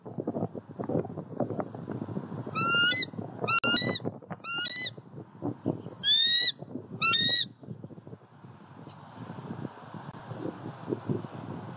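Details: Eagle visiting a pond in Southwest Florida, 23 February 2020, on a live camera: a series of five high, squealing calls in quick succession, each with a bright upward slur, set against steady rustling and crackling noise.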